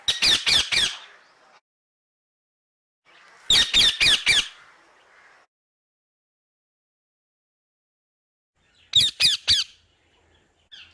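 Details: Parrot giving harsh, loud squawks in tight bursts of three or four notes, the bursts separated by several seconds of silence.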